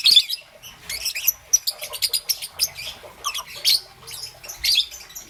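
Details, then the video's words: Young green and yellow peach-faced lovebird chirping in the morning: rapid bursts of high, sharp tweets in irregular clusters, with brief pauses between runs. "Relaxation of Lovebird's melodious chirping sound - Young Peach Face Lovebird"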